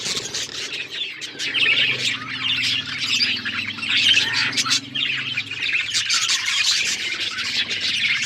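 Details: Budgerigars singing and chirping as a group, a bright mass of twittering warbles and short squawks, with a low hum in the middle section.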